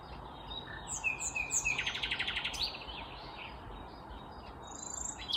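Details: On a May morning in Kvarnbo, Uppsala, Sweden, a hidden vagrant common nightingale delivers a dense, pulsing rattle of rapid notes. High sliding whistles come before and after it, over steady background noise.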